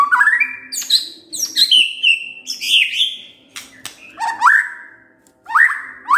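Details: White-rumped shama (murai batu) pancingan lure song with varied repertoire. Bright slurred whistles mix with high sharp notes and rising sweeps, broken by brief quiet gaps.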